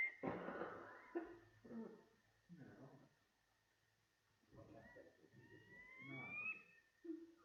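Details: A Brown Quail, a bird of rank grass around the edges of wetter farm areas, gives a high, rising whistle that climbs and fades after a few seconds; a man's voice talks over the opening, with a steady faint tone throughout.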